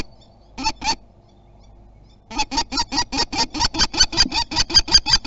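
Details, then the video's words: Territorial calling by a common kestrel, Théding, France, 27 April 2021: two sharp harsh notes, a two-second gap with faint background hum, then an insistent unbroken string of about fifteen loud kee notes growing slightly stronger. "Le faucon défend son territoire"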